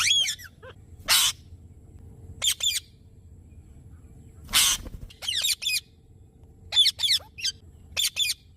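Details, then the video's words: Alexandrine parakeet making odd sounds: harsh, broadband squawks mixed with short whistled, warbling notes in bursts every second or two, over a faint low hum. "Alexandrine parrots weird sounds"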